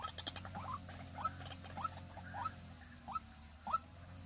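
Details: Decoy White-breasted Waterhen used for luring, recorded in Vinh Long, Vietnam: short rising hooked notes repeated about every half second, fairly soft, with faint ticking and a low steady hum behind.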